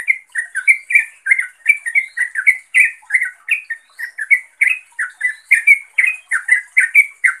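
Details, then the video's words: Continuous lively chatter from a sooty-headed bulbul calling a rival or companion: many short, sharp, rising-and-falling chirps delivered in a fast, uneven rhythm without pause. "Suara Turcuk Memanggil Lawan/Teman"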